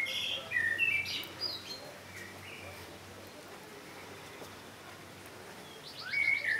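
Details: Common blackbird (Turdus merula) song: a burst of mellow warbled notes with a squeaky high twitter, then a quiet pause, and a new phrase of rapid high notes starting at the end.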